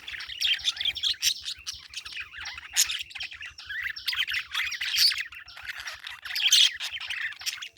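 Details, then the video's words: Steady stream of high, twittering parakeet chirps with sharp squeaks scattered through nearly eight seconds of chatter. "Parakeet Chirping Sound"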